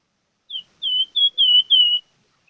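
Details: Vigorously singing (gacor) plamboyan bird: five clean whistled notes, the first short and the rest longer drawn-out slurs that dip slightly, spaced evenly across about one and a half seconds, with no other sounds.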